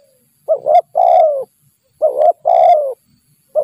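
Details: Steady cooing by a spotted dove, a wild bird said to turn aggressive toward a skilled decoy. Each phrase pairs a short burry note with a long, low, slightly descending coo, repeating roughly every one and a half seconds.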